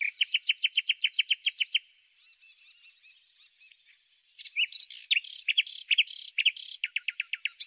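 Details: Spring song of a common nightingale, opening with a loud rapid series of repeated double notes, a quiet pause of faint warbling, then varied loud slurred and buzzy phrases ending in quick repeated notes.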